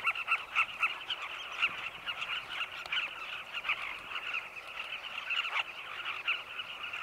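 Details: Carmine bee-eaters in flight near their cliff nest tunnels in Zambia at sunset, gathering insects for chicks. A busy colony chorus with sharper, clipped notes standing out several times per second over a constant buzzing backdrop.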